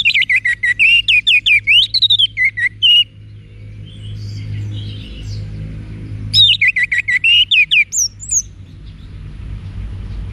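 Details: Orange-headed thrush song used for training caged birds, Bali, Indonesia: two long phrases of rapid, varied whistles and twittering, separated by soft background warbling and low hum.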